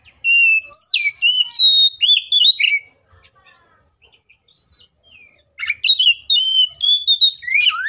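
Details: Oriental magpie-robin singing its combative song for prompting other magpie-robins: two bursts of rich, varied whistles and chattering notes separated by a near-silent pause of about three seconds, faint chirps in between.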